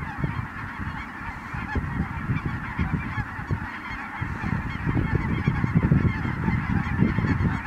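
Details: Ross's geese flying in at Merced National Wildlife Refuge on 22 December 2017. A massed flock keeps up a busy, unbroken chatter of high cackling notes, partly masked by loud, gusty low-pitched wind.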